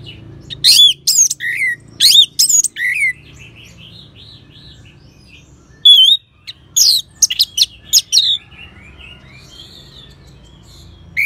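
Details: Orange-headed thrush song from Singaraja, Bali, meant to draw song from other birds: looping whistled notes and rapid chirps in two bursts separated by several quiet seconds, with soft faint whistles between.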